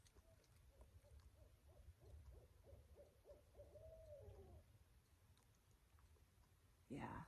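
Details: A pair of barred owls answering each other in the Smokies at night: soft, low hoots in a rhythmic run, building to a stretched, wavering final hoot, then quiet before a sudden brief rustle or knock.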